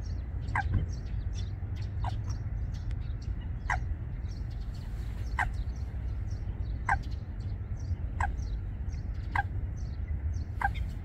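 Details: A Eurasian coot, one of a pair starting to build a nest among water plants at Wangsong Lake, gives about eight short, sharp, explosive notes, one every second and a half, over low wind or traffic rumble.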